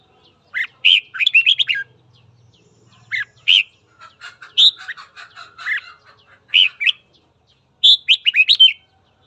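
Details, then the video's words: Red-whiskered bulbul's morning song, used to provoke fighting: repeated bursts of rapid, liquid whistled notes, several phrases of four to seven notes spread over nine seconds, with a faint low hum in places. "Luyện giọng chào mào hót sáng kích bổi đấu"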